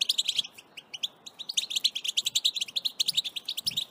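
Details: An excited European goldfinch pours out a fast, tinkling twitter of bright, high notes, several per second with short buzzy trills, barely pausing throughout.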